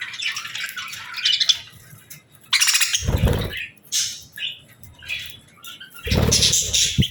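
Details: Budgerigars in a hut aviary at evening feeding time with seeds and millet, giving bursts of buzzy, high chirps and squawks, broken by low thumps and wing flutter before bedtime.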